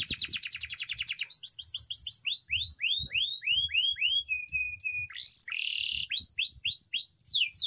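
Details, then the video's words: Canary training song meant to keep a canary singing. A fast buzzy trill of repeated high notes is followed by a series of sweeping rising-falling whistles, a flat tone, a harsh burst, then more swept notes. Low rustling sounds underneath. "canary bird singing _your canary will not stop singing with this training song"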